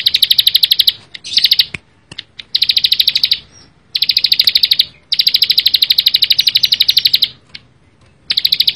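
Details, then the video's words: Bar-winged prinia delivering dense, fast song in repeated phrases, each a high buzzy string of quick sharp notes lasting one to two seconds, separated by short silences. "ciblek sawah gacor full bren rapat"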